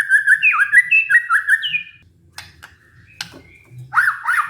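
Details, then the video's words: White-rumped shama lure song to restart a stressed, silent shama: repeated warbling whistled phrases for two seconds, then scattered clicks and soft notes, ending in loud wavering whistles. "pancingan murai batu macet bunyi karena stres"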